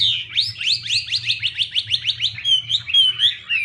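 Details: Chinese hwamei, a female fanning to stir the male: a quick string of about a dozen rising whip-like whistles, then smooth clear notes, over a low hum.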